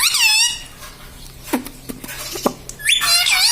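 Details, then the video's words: Pet parrot kept indoors, taught to say papa and mummy: a harsh, strongly harmonic warbling phrase at the start, soft clicks and taps in the middle, then another loud wavering harmonic phrase at the end. "papa papa bolne vala parrot || parrot talking mummy papa"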